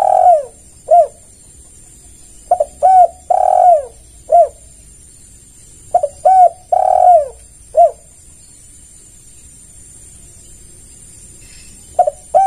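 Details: Spotted dove cooing meant to lure and draw replies from other doves: three full phrases of brief coos framing a long, falling, drawn-out coo, plus a final fragment, in a quiet setting.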